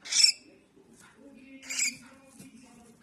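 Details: Harsh, noisy squawks from a baby cockatiel, one at the start and another mid-clip, separated by a quiet low drone.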